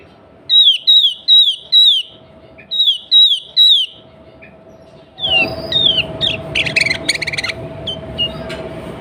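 Sooty-headed bulbul giving bright, slurred, descending whistled notes in quick bursts, followed by a louder jumble of chattering notes over a steady low hum.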